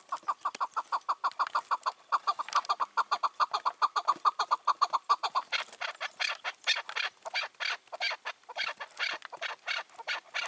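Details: Wild chukar partridge, five to six years old, released two years before and ruling its territory, recorded on the evening of 4 June 2023: a fast steady run of clucking chuk notes, then louder, harsher rasping calls.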